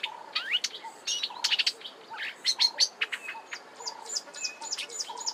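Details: Marsh warbler singing at Kap River Nature Reserve, Eastern Cape, South Africa, in March 2020: a fast rambling warble of repetitive notes with mimicry, packed with quick high chips, slurred whistles and buzzy notes, over soft low notes repeating about every second.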